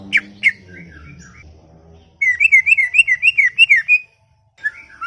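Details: Chatty greater green leafbird in a garden: a few loud clipped notes and soft warbles, then a fast string of about a dozen bright, wavering whistles, a pause and a last brief phrase.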